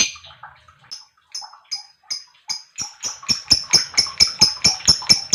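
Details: Lovebird chirping, for stirring up other lovebirds: thin high notes spaced out at first, then speeding into a rapid, even run of sharp chirps.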